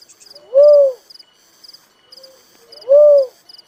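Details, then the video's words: Little cuckoo-dove giving two loud, arched hollow notes about two and a half seconds apart, a faint quieter note between them, with insects chirping high in the background. "suara burung tekukur merah || suara burung uncal"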